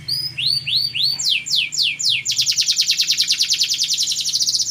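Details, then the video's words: Champion competition canary delivering arched, looping whistled notes that speed into repeated downward sweeps, then a long, dense, rapid rolling trill held steadily high; loud and unbroken. "kenari gacor juara nasional prestasi"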